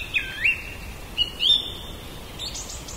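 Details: Common blackbird singing in a back yard, recorded with a Zoom H2n portable recorder: short whistled phrases with rising and falling notes, separated by pauses, over steady background hiss.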